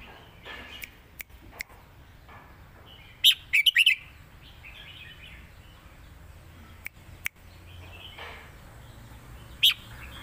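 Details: Caged red-whiskered bulbul from Thailand, sung in the Lak Wai or Mae Bot style. A single rapid phrase of cheerful warbled notes stands out midway, with a lone chirp later and occasional clicks and knocks.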